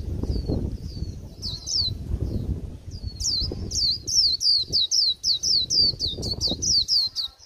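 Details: Wild-caught white-eye at season's end giving a dull líu song: scattered high slurred notes at first, then a fast, even run of sharp descending whistles, roughly four per second, with low-pitched noise underneath.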